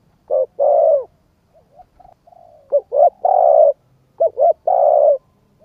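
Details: Spotted dove cooing to excite a decoy bird: low, hoarse phrases of short notes and long coos, with soft faint murmuring notes in the pause between them.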